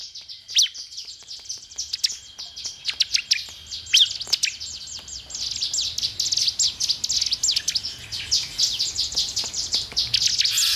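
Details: Bar-winged prinia song used to stimulate caged birds to sing quickly: dense, high chattering of sharp downward-sweeping chirps, thickening into continuous rapid twittering in the second half.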